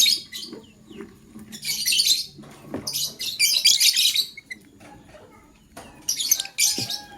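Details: Morning chirping of a male lovebird choosing a partner: repeated bursts of shrill, scratchy high chirps in rapid runs, with brief pauses between, and soft clicks and rustling in the background.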